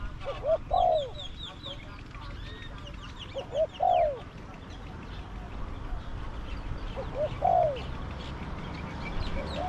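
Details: Spotted dove used as a caged decoy against wild doves, with a small-to-medium voice. Three separate phrases spread over about nine seconds, each made of brief lead-in coos and a longer descending coo. Faint higher chirps from other birds run throughout.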